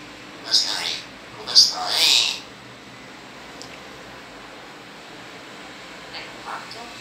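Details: One of two talking pet blackbirds in strange dialogues gives two short, high, scratchy bursts of mimicked Italian speech in the first two seconds, followed by quiet room hiss and a few faint clicks.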